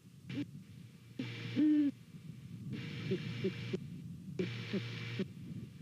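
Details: Great horned owl pair hooting to each other while checking out a nest in Savannah on a November morning, recorded by nest cam: deep soft hoots, one louder near the middle, with background hiss cutting in and out.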